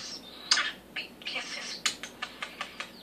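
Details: A pet male common starling practises a newly learned phrase, "big kisses for the bird", repeated all day: a thin high whistle and raspy bursts, then a quick run of sharp smacking clicks, about five per second.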